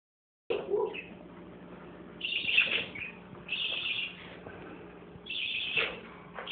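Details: Parakeets together with a baby parakeet: a low chirp opens, then three separate bursts of harsh, scratchy high chirping spaced about a second or more apart, with quiet hiss between them.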